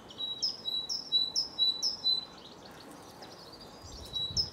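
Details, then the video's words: Cambridge, UK, 24 March 2020, afternoon: a great tit sings a run of five high-low paired notes, pauses briefly amid softer distant chirps, then resumes with another pair; faint low background noise. "Great tit bird singing call"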